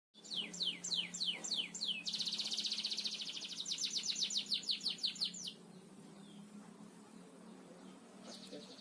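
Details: Canary singing in the Indonesian 'gacor ngebor' style, a nonstop drilling song used as a master recording for training birds: a run of high downslurred notes, then a dense rapid trill and a long buzzy rolling phrase, and a quieter high buzz at the end.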